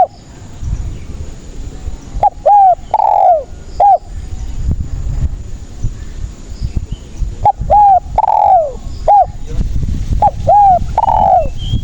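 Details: Spotted dove song used as a trapping lure: two complete phrases, each a clipped coo, a level coo and a long descending coo, with a few short coos between them. Steady low noise underneath.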